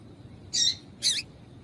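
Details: A female yellow-bellied seedeater gives two short, high, slightly harsh chip notes about half a second apart over a faint low hum, a female call used to stir up males; finding: Yellow-bellied Seedeater.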